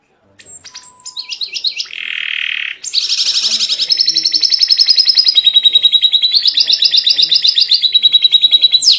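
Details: White canary in full voice, its song offered as a model for young canaries to learn: quick high twitters, a buzzy held note, then long rolling trills that step between pitches without pause.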